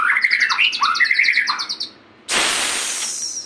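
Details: A White-rumped shama gives a fast run of clear, bouncing whistled notes repeated in a rhythmic series. The song ends suddenly, and a loud steady hiss of noise follows.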